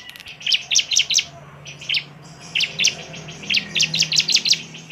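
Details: Bar-winged prinia song used as a lure to make other prinias agitated and persistent: bursts of sharp, high chirped notes in quick clusters of three to five, separated by brief pauses, with a faint low hum beneath.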